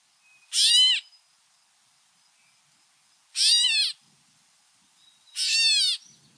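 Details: Gray catbird; mew call; agitation at an intruder too close to the nest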